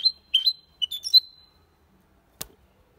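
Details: A male goldfinch × canary hybrid sings cleanly in Malaga style: a bright, high twittering phrase of quick chirps and a sustained whistled note, followed by a single sharp click.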